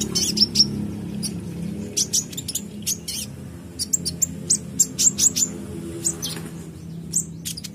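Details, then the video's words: Actively singing purple-throated sunbird, known locally as kolibri ninja, gives scattered sharp high chirps and tiny whistled flicks in irregular clusters, with a low background hum throughout. "Konin bahan langsung respon bunyi dengar konin gacor ini"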